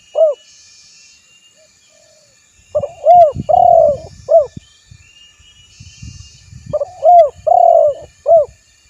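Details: Spotted dove cooing twice, about four seconds apart. Each phrase has a short note, an arched coo, a rolling pulsed coo and a brief closing coo, with faint low rumbling underneath.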